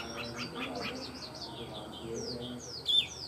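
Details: Caged Chinese hwamei, a tame bird singing well, giving a varied run of quick, high, downward-slurred whistles and sharp notes, with a low hum and faint background noise underneath.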